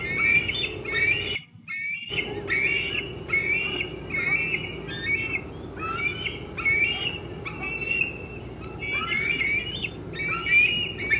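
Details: Eaglet of a bald eagle pair squeeing away at 4:45 pm on 25 June 2013 while an adult eats a fish; insistent high squealing notes in broken rows, with a short silent gap early on and a low background hum.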